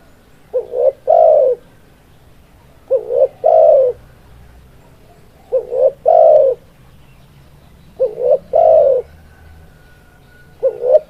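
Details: Spotted dove cooing loudly in a steady series: each phrase is a quick pair of short notes followed by one long, low, mellow coo, repeated about every two and a half seconds over a quiet background.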